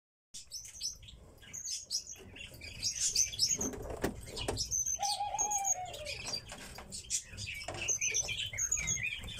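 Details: Several kept pet tits call busily at once with quick, high, thin chirps and short notes, along with wing flutters and a brief lower whistle.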